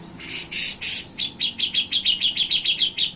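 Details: Grey-cheeked bulbul (cucak jenggot) singing gacor in nyepik and ngetril style: three loud harsh, hissing bursts give way to a brisk, regular trill of sharp high chip notes.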